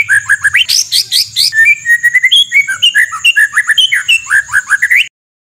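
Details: White-rumped shama song of rough 'shot' filler phrases: fast run of loud upslurred whistles, then strings of short varied chirps and whistled notes at a brisk, uneven pace. A constant thin high tone runs underneath.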